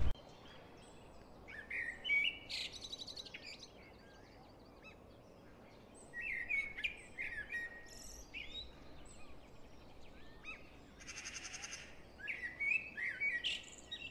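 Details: Eurasian jackdaws collecting horse hair as nesting material in Heemskerk, the Netherlands, give short, sharp 'tchack' calls in three scattered bursts, with a low steady rumble of wind and a brief rustling hiss.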